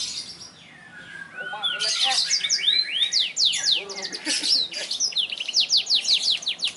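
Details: Black-throated canary in vigorous gacor singing, South Kalimantan, Indonesia: quick varied phrases of high sweeping whistles and rapid chirps, building into dense bright runs of notes with a soft voice faintly heard early on.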